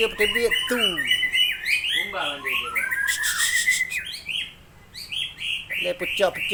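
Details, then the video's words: Long-tailed Aceh white-rumped shama in showy song with a rich fill: steep falling trills, looping whistled phrases and quick chirps in a continuous varied stream, with one brief quieter gap near the end. "Style Murai Aceh Ekor Panjang Main Cantik Isian Mewah"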